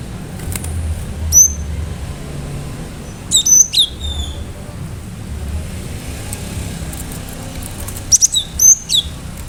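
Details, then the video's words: Cinereous tit singing with sharp shooting notes: scattered, high, clipped whistles in a few short groups, separated by long gaps, over steady low background rumble. "Gelatik batu gacor"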